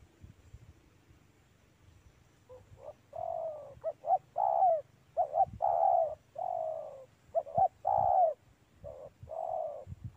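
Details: Spotted dove calling in a mango orchard, a series of low, hollow coos delivered in uneven bursts of two or three notes with short gaps, over faint low rumbling background.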